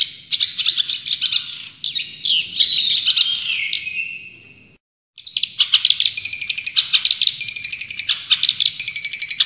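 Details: Long-tailed shrike champion bird, full 'tembakan' song style: dense high chattering and sharp repeated notes, a drawn-out descending scratchy phrase, a brief pause, then rapid clipped staccato notes in quick succession.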